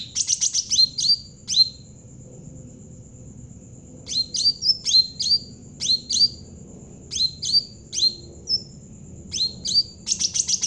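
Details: Javan cucak ranting bulbul singing actively, kept as a lure for training untrained birds: bursts of high sharp chirps and quick falling whistled notes in clusters separated by pauses, over a steady thin high tone throughout.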